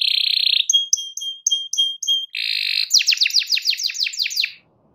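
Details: Canary singing at a rival: a dense buzzy rattle, then short clipped whistles repeated about three times a second, another buzzy roll and a fast series of falling chirps before silence.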